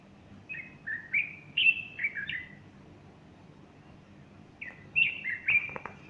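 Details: Morning song of a bulbul on Sunday 30 August 2015, with a female beside it fluffing her feathers. Two groups of sweet, quickly slurred whistles are separated by a few seconds of quiet, and faint clicks come near the end.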